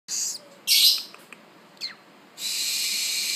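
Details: Captive tropical screech owl chick, hatched 1 September 2013, eyes not yet open, begging at its first feeding: short harsh hissing screeches, high and noisy, with a long steady hiss at the end and faint clicks between.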